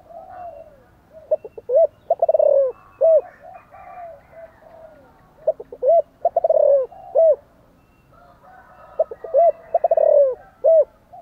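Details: Energetic spotted dove cooing and calling, three similar phrases in a row, each a run of short low hoots building into a drawn-out rolling coo, ending with an emphatic hooted note.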